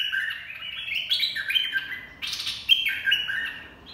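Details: A bulbul song used for training young birds and luring birds: bright, warbling phrases of quick liquid notes in the middle-high range, rising and falling in short bursts with brief pauses.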